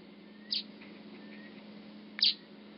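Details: Two loud, clipped high chirps about 1.7 seconds apart from a masked weaver building a nest at Huab Lodge, Namibia; a low steady hum underneath.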